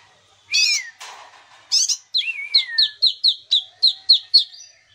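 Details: Kinoi in natural song for luring silent birds: harsh notes and a long falling whistle, followed by a quick series of crisp downslurred chips about four per second.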